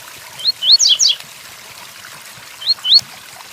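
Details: Rain hisses behind a double-collared seedeater giving its Tui Tuí song: upslurred whistles, then three quick descending buzzy notes, and after a pause two more rising whistled notes.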